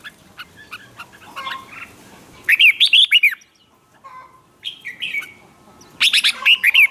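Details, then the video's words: Red-whiskered bulbul singing in contest style to provoke other birds: two loud bursts of rapid, liquid whistled notes, separated by quieter chirps and a short whistled call in between. "Kích chào mào hót đấu hay nhất,bổi nghe là hót theo,khiến bổi ức chế căng lửa"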